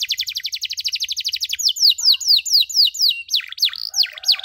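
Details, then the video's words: Canary chirping meant as training audio for other canaries learning cuit-cuit sounds: a fast trill of short downslurred notes, then slower repeated falling whistles and a few deeper looping notes at the end. "MASTERAN KENARI SANGAT COCOK UNTUK PAUD YANG LAGI BELAJAR BUNYI CUIT CUIT"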